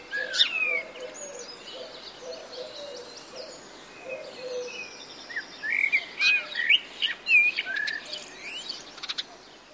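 A European robin sings thin, high, wistful phrases of trills and sliding whistles, broken by short pauses, with a low murmur of another bird underneath.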